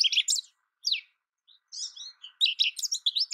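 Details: American goldfinch song in scattered phrases: sharp twitters, a lone downslurred note, then a rising, busy flurry of high chirps toward the end.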